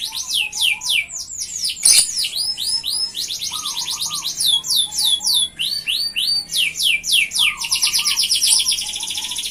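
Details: Energetic F1 canary song meant to prompt and teach other canaries. Rapid trills of high sweeping notes change pattern every second or two, broken by one sharp click. Soft low twitters sound in the background.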